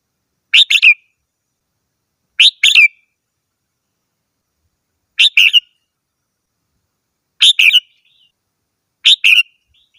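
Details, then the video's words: Red-whiskered bulbul singing five short chirpy whistled phrases, each a pair of quick bright notes, repeated about every two seconds against silence. "chim chào mào hót - tiếng chim chào mào hót"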